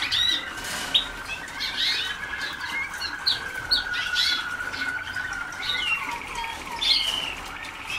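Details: Waterslager canary pupils early in song training, 2010: busy overlapping chirps, quick upward and downward slurs and brief trills from several birds, some bursts louder than others, over a constant low tone.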